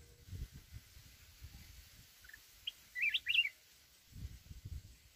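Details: Mountain red-whiskered bulbul in wild 'forest voice' song used to excite a decoy bird: a few soft lead-in notes, then a tight cluster of clear, twisting whistles, with low background rumbles before and after.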